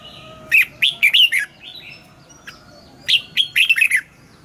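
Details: Caged red-whiskered bulbul singing at morning in the double-note 'già rừng' style used to train birds: two bursts of loud, rich bubbling notes about three seconds apart, with faint whistles between.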